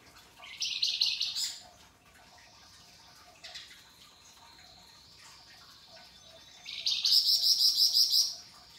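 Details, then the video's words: Singing flamboyan used as a tutor bird, with ngebren bursts, rough rasping and sharp crystal-clear shots: a harsh, shrill burst of rapid notes, softer high notes in the middle, then a long, fast, pulsing trill. "Top Masteran Flamboyan Gacor Dor Ngebren, Mbeset Kasar dan Nembak Tajam Suara Kristal"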